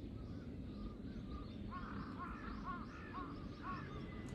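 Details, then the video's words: Mobbing crows, three of them, confronting a hawk on 21 October 2023; faint caws early, then a rapid burst of overlapping harsh caws about twice a second, several birds calling together over low rumble. "3 crows vs hawk ,カラス,까마귀"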